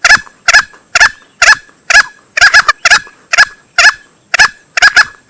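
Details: Lure recording of a crowing male green junglefowl: loud, rasping clipped notes, some doubled, follow one another roughly every half second without a break over a thin continuous high-pitched hum.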